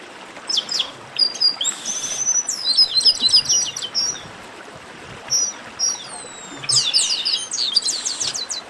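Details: Lively 'baderna' racket of Chestnut-capped blackbirds (garibaldi): dense runs of sharp, high chattering notes in bursts, with a few thin slurred whistles between them and voices overlapping throughout.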